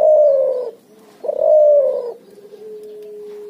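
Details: Hybrid cuhu (puter × spotted dove) calling ngoar nguku: two downward-sliding hoarse coos followed by a long even low tone.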